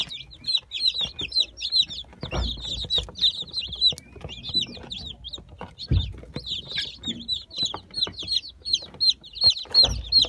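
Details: Brahma chicken chicks from the season's last hatch, 17 October 2018: a dense chorus of many chicks giving shrill, high, down-slurred peeps in rapid overlapping runs, with scattered low thumps and knocks beneath.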